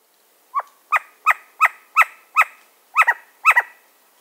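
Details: Agitated Western screech owl giving a quick series of eight short, sharply falling barks, several doubled, spaced about half a second apart against a quiet background.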